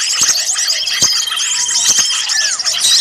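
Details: Small birds in a noisy chorus for luring birds into traps; high wavy chirps and squeaks run on, broken by a few sharp clicks and a descending whistled note near the end.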